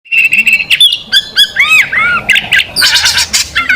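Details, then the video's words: Competition magpie robin, a national champion kept as a caged bird, singing a loud, varied song: sustained whistles, sharp clicking bursts, and arched slurred notes rising and falling, delivered in quick succession with harsh buzzy trills near the end. "Burung kacer juara nasional, tolak barter dengan sepeda motor || Suara tembakan nya pedas gurih."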